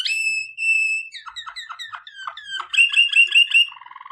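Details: Training song of a Waterslager canary: clear level whistles, then a string of falling slurred notes, a quick rolling bright trill and a low bubbling ending.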